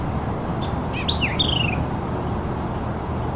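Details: A White-eyed Vireo sings from forest lining Sugar Creek, Northwest Arkansas: one quick, emphatic phrase of a few sharp, slurred high notes, ending in a falling buzzy note, over a steady low rumble.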